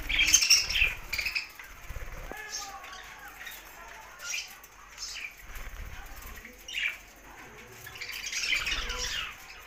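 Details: Budgerigars chattering in bursts: a loud cluster of squeaky chirps at the start, then quieter scattered tweets, and a renewed busy chirping spell near the end.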